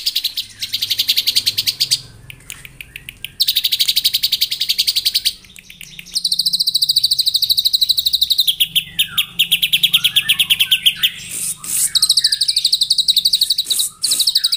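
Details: White-rumped shama singing in the morning to provoke rivals, a loud run of rapid repeated high chirps in long rattling bursts with short pauses, shifting to varied whistled phrases and sharp notes near the end.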